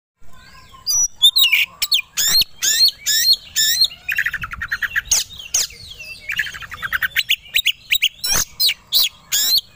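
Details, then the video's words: Oriental magpie-robin singing as a lure to make other birds quickly agitated and ready to fight: a dense, fast torrent of sharp chirps, buzzy trills and whistled sweeps, nearly continuous with short gaps. "Pancingan Kacer Agar Cepat Emosi Gacor 3 || Super Gacor Langsung Tarung"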